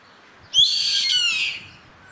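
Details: A Yellow-headed Caracara calling in the wild gives one harsh, drawn-out scream lasting about a second, high and raspy, sliding slightly downward before fading.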